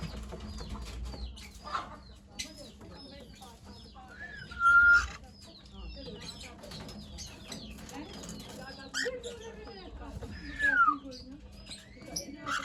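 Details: Several pet cockatiels chirp constantly while eating, with two louder slurred whistles standing out over a low hum.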